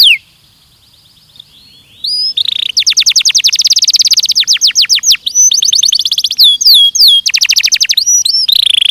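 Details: Belgian canary singing for a training recording: a quick falling note, a quiet stretch, then rapid rolling trills mixed with hooked swooping whistles.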